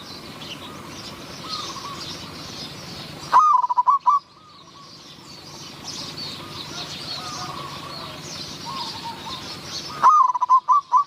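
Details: Zebra dove calling during decoy luring of wild doves in Wapi district, Maha Sarakham, Thailand; two quick bursts of staccato coos about seven seconds apart, over a steady background hiss of insects.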